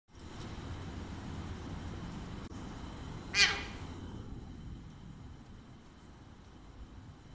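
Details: A pet Alexandrine parakeet, squabbling with another over a bottle cap, gives a single loud, harsh, raspy squawk under half a second long, against a steady low indoor hum.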